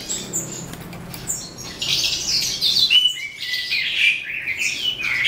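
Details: Eastern calandra lark starting its song at day's end, a fast jumble of chirps, buzzy trills and rising whistles that grows louder after the first two seconds and runs on continuously.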